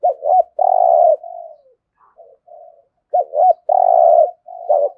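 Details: Spotted dove giving thổ-style coos, a recording used to prompt cooing: two short hollow notes, a long throaty coo and a softer trailing phrase, the pattern repeated twice with brief silences between.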